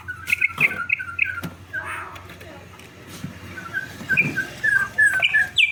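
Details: Campo troupial giving a series of short whistled notes at the start, then a louder run of slurred whistles near the end, over a steady background hiss and rumble.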